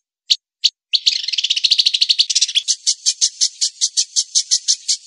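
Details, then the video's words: White-rumped shama, recorded as training song for songbirds: two lone sharp chips, then a burst of dense scratchy chatter that settles into a steady series of rasping high notes, roughly three per second. "MASTERAN MURAI BATU PALING AMPUH....!!"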